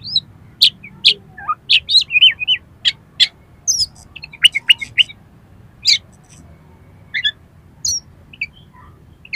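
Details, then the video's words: Oriental magpie-robin song played to set off a kept bird singing and fanning its tail: scattered sharp high chirps and short slurred whistles with pauses between, fairly quiet against a steady low hum. "DALAM HITUNGAN DETIK KACER KALIAN PASTI LANGSUNG ON !!! MAU BUKA EKOR"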